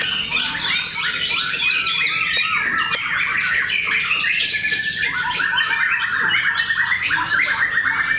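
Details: Caged white-rumped shamas singing against each other at a Cikeas contest, producing a dense wall of chattering trills, clicks and piercing whistles with no pauses.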